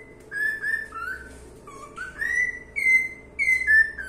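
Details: Whistling cockatiel: level notes, then a low dipping whistle rising into longer bright tones that step slightly higher, ending on a falling note.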